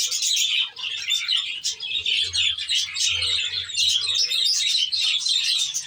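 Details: Budgerigars in a natural-style aviary warble and chirp continuously, a bright busy chatter of many voices, with a soft low hum pulsing in the middle section.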